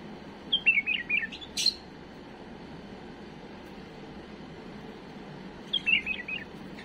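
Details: Error-free song of a tame bulbul used for training chicks. A rapid, chattering warbled phrase is followed by a sharp click, then four seconds of near silence, then a similar bubbly phrase. Faint background hiss throughout.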